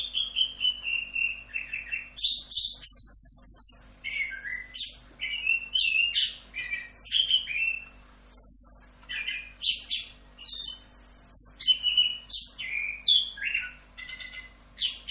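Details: Long continuous 'rock'n roll' masteran song of an orange-headed thrush (anis kembang): a slow falling whistle, then a rapid, unbroken stream of varied whistles, slurs and chattered notes jumping between pitches, over a faint background hum.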